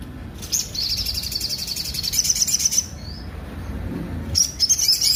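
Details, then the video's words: High, rasping sunbird trill running steadily for over two seconds, a soft slur, silence, then a renewed burst of scratchy rough notes. "sogon suara tonjolan kasar"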